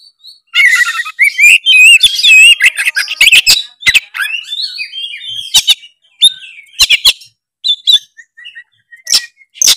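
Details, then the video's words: Oriental magpie-robin singing vigorously, used to provoke a lazy bird: rich warbled whistles and rapid trills, then scattered sharp clicks and short whistled phrases separated by pauses. "suara kacer gacor cari lawan pancingan kacer malas bunyi seketika gacor"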